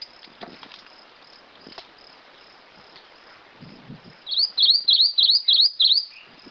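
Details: Rufous-crowned Greenlet singing a run of five bright, high notes that dip and rise, evenly spaced about a third of a second apart, after a quiet stretch with faint ticks and rustling.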